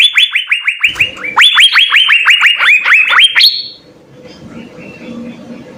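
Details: Six Asian fairy-bluebirds in vigorous song: dense, quick upward-sweeping notes repeated several times per second, ending in a higher sustained note before fading into soft background hiss.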